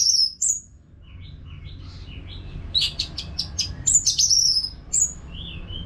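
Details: Orange-headed thrush pouring out nonstop song, meant to prompt caged birds to sing along: thin high whistles, soft mid-pitched warbles, then a dense cluster of sharp chirps and slurred whistles.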